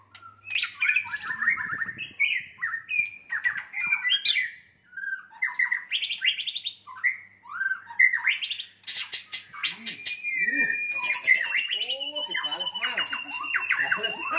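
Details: White-rumped shama fighting song to raise rivals' anger: a long, loud, varied sequence of whistles, chips, harsh bursts and rapid trills, ending in a long warbling stretch with descending slurred notes beneath.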